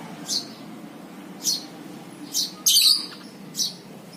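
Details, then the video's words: Shrill single lovebird chirps spaced about a second apart, with one louder, harsher burst near the middle, offered as a ngekek lure. A soft low hum runs throughout. "PANCINGAN 100% NGEKEK BURUNG LOVEBIRD!! AUTO NGEKEK"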